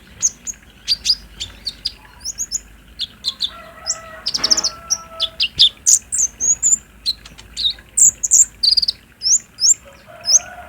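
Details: Olive-backed sunbird song used to coax a captive bird into singing. Steady high, sharp chirps and squeaky twitters, with a brief rustling burst midway and faint lower tones in the background.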